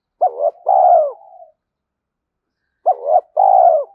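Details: Spotted dove cooing, played to lure wild doves: two coo phrases about 2.7 seconds apart, each a short hooked note followed by a longer drawn-out coo with a falling tail, on a clean silent background.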